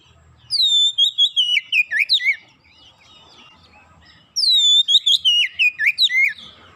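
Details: Magpie-robin song used as a lure to get magpie-robins singing: the same whistled phrase given twice, each a long falling whistle followed by about eight quick swooping notes, separated by soft warbling.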